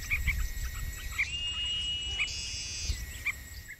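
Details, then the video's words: Yellow-vented bulbul chick begging while being fed and cleaned: short high chirps every second or so and a long, thin, steady whine, over a low background rumble. "Feeding & Cleaning Hungry Chick - Yellow vented bulbul"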